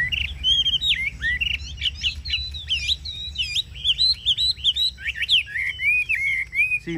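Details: Chinese hwamei, a cage bird valued for its voice, singing ngũ trường style song: a continuous stream of varied loud whistled phrases, slurred up and down and richly ornamented, over a low background hum.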